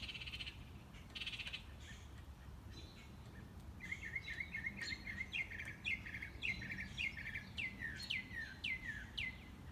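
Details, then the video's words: Mockingbird repertoire on a morning walk from an unseen bird: a few buzzy bursts, then a run of sharp repeated notes becoming a series of descending slurred whistles, against low steady background noise. "Mockingbird - Morning Walk"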